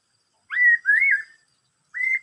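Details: "Bắt cô trói cột" song of a Black-throated laughingthrush: two smooth, rising-then-level whistles in quick succession, a pause, then a third clear whistle ending with a short upturn.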